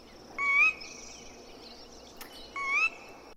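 A Sora gives two clear rising per-weep calls about two seconds apart, each scooping up from a lower note to a higher one, over faint insect hiss.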